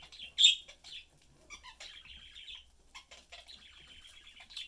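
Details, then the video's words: Family of pet budgies, both parents and a youngster, chatting while eating; one loud squeaky chirp, then quieter steady warbling and raspy twitters. "Sunday cute Budgie/Parakeet family lives, chatting, having fun and eating."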